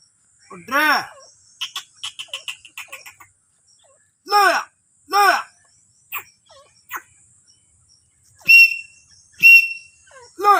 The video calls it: Teetar ki awaaz | teetar sound